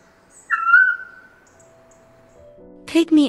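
A Eurasian scops owl gives a single clear, mellow whistled note that slides slightly down and fades out. A steady low hum follows, and a voice begins speaking at the end.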